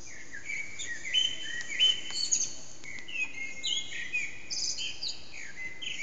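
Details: Unseen Eurasian blackbird, or several, giving early morning song near 4:30am in a resonant backyard, HTC Desire recording: overlapping fluted whistles and high squeaky flourishes run almost without pause.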